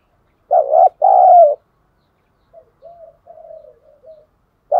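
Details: Spotted dove decoy cooing to draw wild birds in, thổ sấm voice style. One loud two-part coo, then a string of soft, low murmured notes, and the next phrase beginning at the end.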